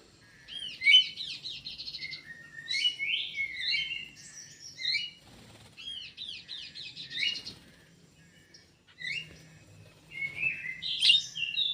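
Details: Kidangan kaso kaso bird kept in an aviary for breeding and conservation, singing high, rapid phrases of looping, slurred whistles and chirps, repeated in bursts with short pauses between them.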